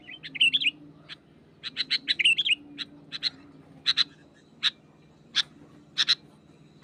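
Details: Wild sooty-headed bulbul singing lively while pressing a rival: short bright chirps and bubbly warbled phrases, some grouped in quick runs, then spaced single sharp notes, over a steady low hum.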